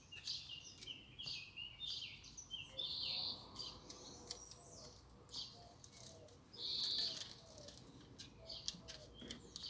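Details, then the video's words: Garden birdsong: rapid high twittering and chirped phrases, interrupted by bright buzzy trills, with faint lower chirps and a low background murmur. "Bird song in my Garden"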